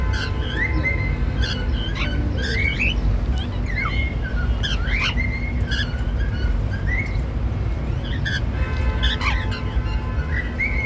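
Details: A pair of normal grey cockatiels, one male and one female, chattering happily in a steady stream of brief chirps and upward-flicking squeaks, some clustered in quick bursts, over constant low rumbling background noise.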